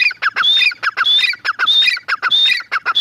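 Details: Female grey francolin (teetar) calling: harsh, grating notes mixed with a thin rising whistle, run together in rapid phrases repeated about every half second, loud and continuous with no other sounds.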